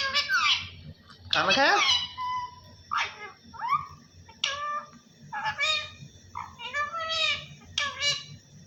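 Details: A talking parrot repeating "Allah Hoo": short, separate speech-like bursts roughly every second. Some bursts are harsh and broadband; others are clear, harmonic, rising and falling syllables. Faint indoor hum underneath.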